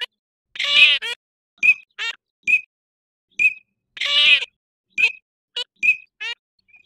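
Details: Eurasian teal: brief, piping whistles repeated irregularly, broken by two longer, rasping nasal calls and several short buzzy notes.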